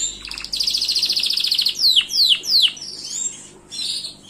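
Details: A quick high trill from a Gloster canary, then three loud whistled notes each swooping sharply downward, ending in quieter twitters.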